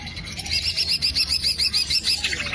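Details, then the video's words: Green leafbird song for luring or training birds: a fast run of bright, high chirped notes repeated in a steady, bouncing rhythm, with a faint low hum underneath. "PANCINGAN CUCAK IJO AMPUH PALING DI CARI"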